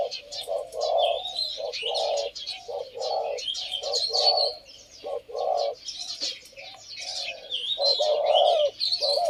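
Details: Pair of caged male Spotted Doves cooing side by side, one deep-voiced and one medium-voiced, kept two years in cages. Steady run of soft, hollow coo notes with brief pauses, while small birds chirp and twitter high above.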